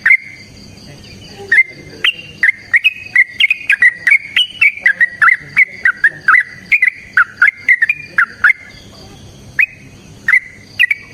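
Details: Sooty-headed bulbul in long fighting-style song used as a lure: a fast run of clipped fluty whistles stepping up then down in pitch, followed by a pause and a few scattered notes.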